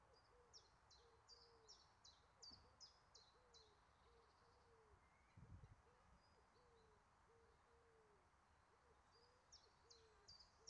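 Eurasian blue tit giving quick series of thin, high, sharply falling notes in bursts, over a steady run of low, soft hoot-like notes from another bird.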